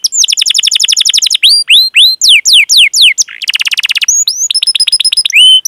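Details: Rolling canary song for training young canaries: a quick chirped trill gives way to loud downward-sweeping whistles, a dense buzzy roll, then varied rising notes and a steady high whistle, all clean with no background noise.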